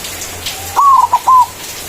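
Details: White zebra dove's manggung song, used as a lure to call a rival: a long, slightly wavering coo, then a short pair of notes and a smooth drawn-out closing coo.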